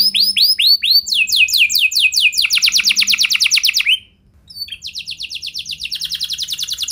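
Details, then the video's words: Canary singing a rich 'lagu mewah' song meant to prompt other canaries into long singing: high, downward-swept whistled notes giving way to fast rolling trills, a short pause, then another rapid trill tour. "Kenari Gacor Lagu Mewah! Buat Kenari Mana Saja Bakalan Langsung Ikut Gacor Panjang"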